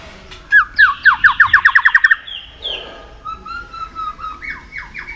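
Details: White-rumped shama singing as voice training to stimulate it for singing contests: a rapid run of about a dozen repeated rising notes, then a pause and softer varied whistles with a closing series of quick downslurred phrases.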